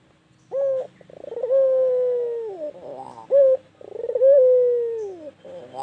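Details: White Barbary dove calling persistently: a short bright note, then a rapid stuttering run of pulses swelling into a long, steady coo that slides downward at the end, given twice.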